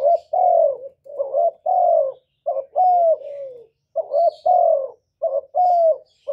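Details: Loud, continuous spotted dove song with barely a break: low rising coos alternating with long falling ones, phrase after phrase, a lure for caged doves.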